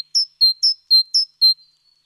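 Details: Great tit, 29 October 2017, giving three crisp two-note units in quick succession, each a higher note dropping to a lower one, evenly spaced over two seconds; nothing else audible.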